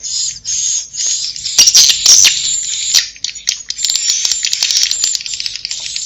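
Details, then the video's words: Swiftlets' Inap roosting call for luring birds: a nearly continuous, buzzy high-pitched chatter studded with rapid chirps and a few harsh louder bursts. "Suara Inap walet"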